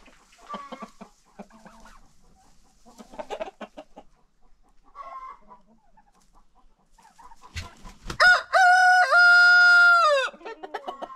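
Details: Farm chickens after breakfast during a daily rooster crowing contest: soft clucking and short calls for several seconds, then one loud, sustained crow near the end.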